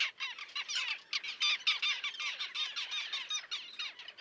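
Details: Common tern colony with young, Liepāja, Latvia, June 2024: rapid, repeated harsh squawking calls, roughly three per second, from many adults overlapping without pause.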